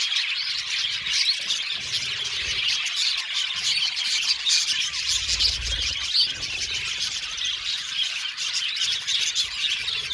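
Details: Aviary budgies, many birds together, keeping up a steady wall of high chirps, warbles and twittering notes, with no pauses over ten seconds.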